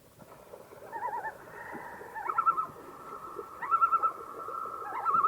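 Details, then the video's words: Common loon calling: long, mellow, haunting held tones with rapidly wavering, yodel-like quavers breaking in several times, over a soft rumbling background. "Common Loon Bird Call"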